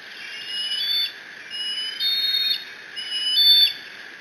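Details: Eaglet of the Decorah bald eagles, sole nestling present when dad drops off a fish, 30 June 2017, mantling it and squeeing: three long, piercing whistled cries with a ringing overtone, each about half a second, evenly spaced.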